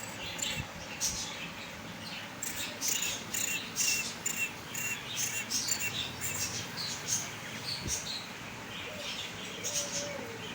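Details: Male quail kept in the hand gives dense runs of sharp, high, chirping notes in irregular clusters over about ten seconds, with faint rural background noise.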